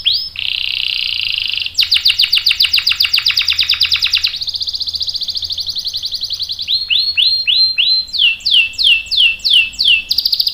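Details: Canary singing a long rolling lure song, meant to make other canaries answer: a steady high buzzy trill, then a fast rattling roll, a smooth high trill, and a series of quick downward-sweeping whistled notes.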